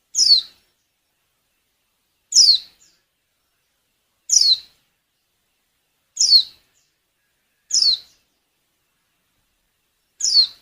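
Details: A lure female white-eye in breeding condition, meant to make males sing; six crisp, high, falling calls at roughly two-second intervals in a quiet setting.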